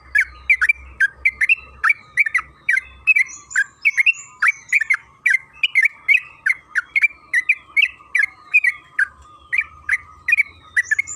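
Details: Lure recording of a sooty-headed bulbul singing to make other birds sing: long lively series of chirped whistled notes, roughly two per second, rising and falling, over a faint low hum.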